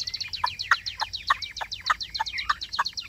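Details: Chinese hwamei, a kept songbird, singing: rapid high chirps over a run of lower, loud notes, about two every second.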